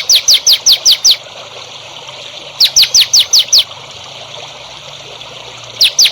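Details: Songbird singing as training material for young songbirds: bursts of six sharp, descending high notes in quick succession, repeated after pauses of over a second, with steady hiss behind.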